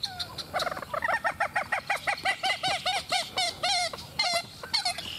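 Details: One of several very vocal common gallinules gives a run of about a dozen nasal, hen-like clucks, three or four a second, ending in a few higher squealing notes.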